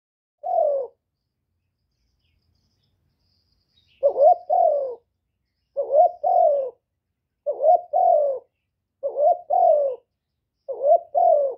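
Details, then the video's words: Spotted dove kept for calling, recorded clean without background noise: a lone low coo, then five paired coos, each a short rising note followed by a longer falling one, repeated about every one and a half seconds. "Chim Cu Gáy GỌI+THÚC+GÙ hạp bổi kích bổi, Cu Gáy Không Hậu Lỡ, Tiếng cu đất gáy, Cu cườm gáy gù"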